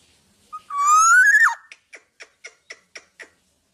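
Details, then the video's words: A tame Black-naped oriole kept without a cage gives one long rising, falling-tipped whistle, then seven short sharp notes at even spacing of about a quarter second. "BURUNG KEPODANG TANPA SANGKAR GACOR DAN JINAK"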